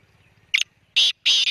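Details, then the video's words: Black francolin calling: one short harsh note, then two longer rasping, noisy bursts after a pause, with a faint low hum underneath. "kala teeter ki awaz"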